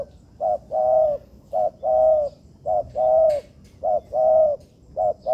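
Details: Young spotted doves (tekukur) under training in an artificial yard; a short double note followed by a long, level, hollow coo, repeated steadily about once a second in even phrases, with faint background hiss.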